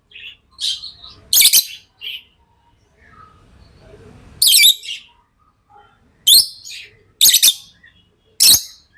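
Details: Tame pet lovebirds giving scattered, piercing high chirps and squeaks, single or doubled, separated by quiet gaps of a second or more; faint softer twittering in between.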